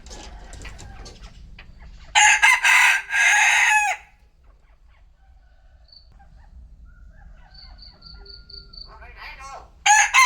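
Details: Noon crowing from a chicken: rough, loud two-part crow lasting nearly two seconds, then quieter chirping and twittering, with the start of another crow at the end and a low hum throughout.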